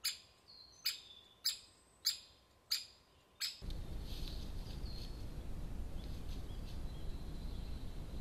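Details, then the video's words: Woodpecker at the nest: six sharp, high calls about every 0.6 seconds, then loud broadband rustling and scraping noise takes over for the rest. "Okillaren kabian"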